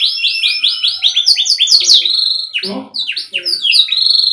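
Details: Canary tutor song for juvenile or stalled birds: evenly repeated looping whistled notes speed into sharp high sweeps, then a short low gravelly note and more falling whistles, above a faint constant hum.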